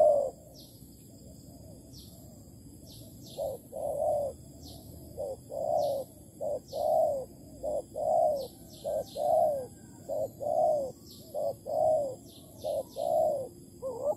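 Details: Spotted dove calling in Malaysia at a decoy trap, 11 August 2020: a long series of soft hooting coos in short-long pairs, fairly regular, with faint thin downslurred chirps from another bird above.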